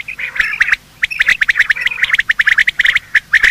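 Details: Morning calling of male and female quail for hunting: a rapid, chattering series of sharp clicky notes, fast and nearly unbroken after a short pause.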